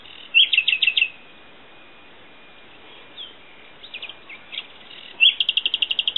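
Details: Common nightingale singing: a rapid run of loud repeated notes, a pause with soft scattered notes, then a long fast series of evenly repeated pulses, with background hiss.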